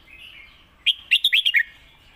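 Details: Red-whiskered bulbul kept as a caged competition bird, singing master song used to teach young birds: after a faint warble, a rapid phrase of five or six clear, bubbly whistled notes, slightly falling at the end.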